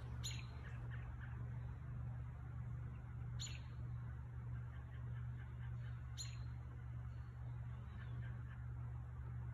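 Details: Bird singing on a beautiful spring evening, May 11 2022, around 8:30–8:47 PM at 70 degrees: sharp, high, brief chirping phrases about every three seconds, faint over a steady low hum.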